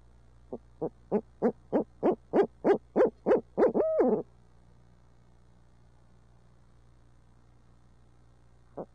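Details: Urbanized barred owls in Midtown Tulsa hooting: a series of about a dozen hoots, accelerating and growing louder over four seconds, ending in a drawn-out wavering hoot, then quiet with one faint final note.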